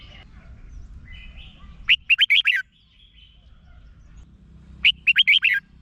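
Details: Caged Red-whiskered bulbul song, played to stimulate other birds, gives two short bursts of its bright, bubbling whistled phrase, five or six quick rolling notes each, about three seconds apart.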